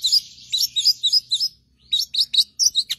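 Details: A long-tailed shrike sings master song for training other songbirds. About seven quick, high, warbled notes run in a string, then a brief gap, then another rapid series of sharp, rising chips.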